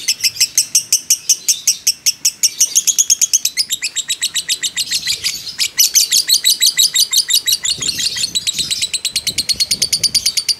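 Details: Lovebird of fighter type giving long emotional ngekek, used as a lure: steady trains of sharp high chirps, several per second, swelling and easing in loudness with brief breaks.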